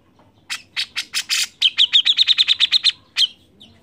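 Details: Grey-cheeked bulbul singing steadily, used as a lure to prompt other birds to sing: several harsh, buzzy broadband bursts, then a quick run of about ten bright, clipped chirps at an even pitch, ending with one last note.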